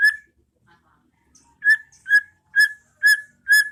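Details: White-rumped shama song in the ngeplong style, played as master audio for training caged birds to sing: a clear ringing whistled note near one pitch, repeated five times about every half second after a short pause.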